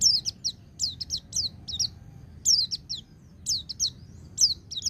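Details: White-eye in the ngecir sambung ngalas style, for rousing untrained birds: a near-continuous sequence of high, sharply falling whistled notes in clusters of two to four, busy and rapid throughout.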